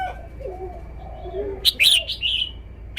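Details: Cage-kept red-whiskered bulbul in a song display. Low mellow cooing notes from another bird open the clip, then the bulbul breaks in with an emphatic, bubbly whistled phrase and a clipped final note.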